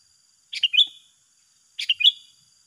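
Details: Sooty-headed bulbul in a singing duel between two birds: two short bubbly phrases about a second apart, each three or four quick chirpy notes dropping then rising, with a faint steady high hiss behind.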